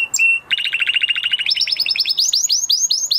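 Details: Post-moult male canary in song: a brief whistle, then a rapid rattling trill of stacked notes that climbs in pitch and slows into loud, sweeping upward chirps.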